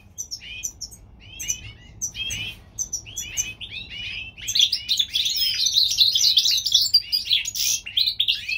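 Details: Springtime song of a European goldfinch hybrid from California, opening with spaced, upslurred chirps repeated about every half second, then breaking into a dense, rapid tinkling twitter.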